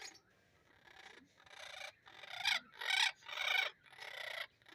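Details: Parrot heard in a natural recording, giving five harsh, raspy, broadband squawks in irregular bursts, each lasting under a second and separated by short quiet gaps, with steady faint background hum.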